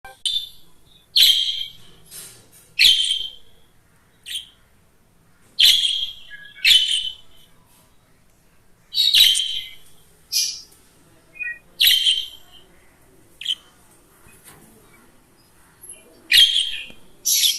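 A budgerigar warbles in bursts of scratchy, high chirps and chattering notes, with short pauses between.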